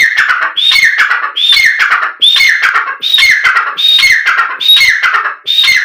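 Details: Black francolin call meant to bring the bird to call and excite it: a fast run of loud, grating phrases, each with a clear rising whistle followed by harsh descending rasps, roughly every 0.8 seconds.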